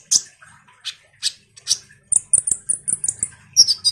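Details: A common iora chattering vigorously, played as a lure to draw responses from ninja sunbirds. Scattered high squeaky notes, then a quick run of thin whistled chips and a final squeaky double note.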